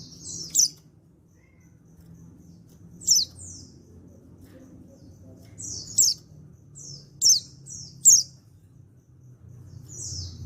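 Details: Male white-eye from Pacitan, an untrained bird, calling to get other white-eyes singing: short, piercing high downslurred chips, sometimes doubled, spaced irregularly across the recording over low background noise.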